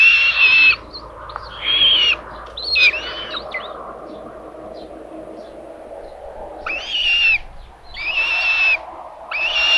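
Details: Common buzzards at a live nest camera in Tiszalök, Hungary, on May 27, as the mother brings lunch to the third chick; harsh, squealing calls in short bursts, about six, some paired, over a steady low hiss.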